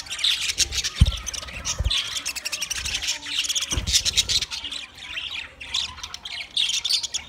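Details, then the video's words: Many budgerigars, twenty pairs together, chirp in a dense overlapping chorus of scratchy, squawky high notes and warbles, with occasional low thumps and rustling beneath. "20 Budgie pairs chirping sounds"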